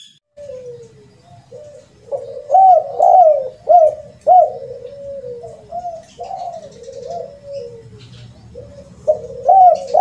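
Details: Spotted dove lure call of the rare kuk 2 or kuk 3 type: overlapping mellow coos and sliding notes run almost without pause over a low rumbling background.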